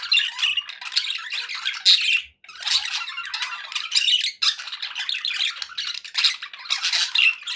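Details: Happy budgerigars warble and chirp in bursts, with a clear pause near two and a half seconds and another near four and a half.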